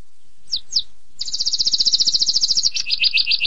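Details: Canary song for mastering opens with two brief downward slurred notes, pauses, then launches into a bright, very fast high trill that drops into a slightly lower, pulsing roll.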